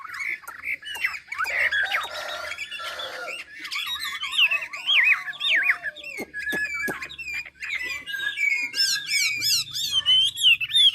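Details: Chinese hwamei from Ha Giang, Vietnam, used as a singing tutor for other birds, pouring out a continuous, varied song of whistled slurs, rapid wavering trills and high zigzag runs, with sharp clicks and a faint low hum.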